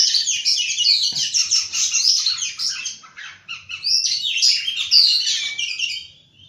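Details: Morning song of an Oriental magpie-robin: a busy, continuous stream of high chirps and twittering phrases with a brief lull midway, then sweet whistled notes.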